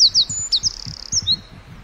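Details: A wren chirping in the forest: a quick string of sharp, high, downslurred notes, bright and clear over a quiet background.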